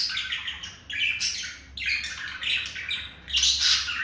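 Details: Male budgerigar courting a female, pet birds: bursts of scratchy, chattering warble with squawky notes, in phrases about a second long separated by brief quieter gaps, no other clear sounds.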